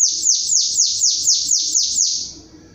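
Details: Chestnut-capped blackbird in the 'batendo belga diferenciado' song style, with eight sharp, high descending notes repeated quickly and evenly before the phrase fades into a soft thin tone; little other sound.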